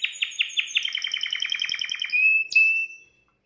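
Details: Canary singing to stimulate a female: a quick run of repeated rising notes merging into a fast trill, ending in a held whistled tone with a sharp upper note.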